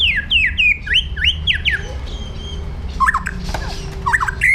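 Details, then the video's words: Captive white-rumped shama from Indonesia giving an aggressive training song: a quick run of about seven descending hooked whistles, then a pause and short rising slurred notes, over low hum. "PASTOL JAHAT MENTAL BAJA | MASA DEPAN CERAH | SHAMA BIRD"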